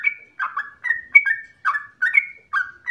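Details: Slower phrases from a yellow-vented bulbul lure song meant to make other bulbuls sing continuously: separate warbled, slurred notes roughly every half second, some with a brief whistled tail.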